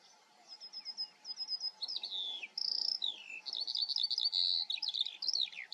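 A Eurasian skylark pours out a fast, high, unbroken stream of chirrups, trills and sliding whistles, with no other sounds intruding.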